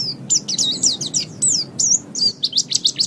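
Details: White-eye (pleci) song from a master recording for training songbirds: a rapid, continuous run of high, thin chirps and short whistled slurs, many rising or falling sharply, delivered at a steady, lively pace with no other sounds.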